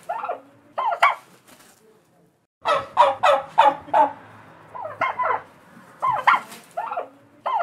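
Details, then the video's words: A turkey gobbles in rapid, rattling bursts, with a fast burbling run of notes in the middle and shorter gobbles before and after. "Turkey Sound"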